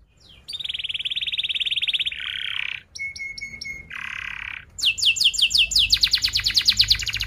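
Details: Canary singing for young canaries to learn from, a sustained fast high trill, a buzzy lower rattle, a steady whistled tone, another rattle, then rapid repeated falling whistles.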